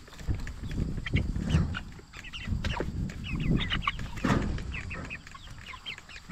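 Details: Meat-raised Cornish Cross broiler chickens at 44 days old give a busy stream of short, sharp peeps and chirps, many birds at once, some with quick downward slurs. A heavy low hum and shuffling run underneath.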